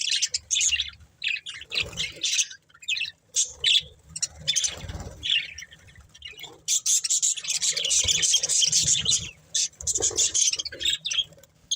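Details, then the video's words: Breeding budgerigar pair trading short scratchy chirps and squawks, gaps between phrases, then a long dense burst of warbling chatter toward the end. "Beautiful Budgies Chirping Sounds"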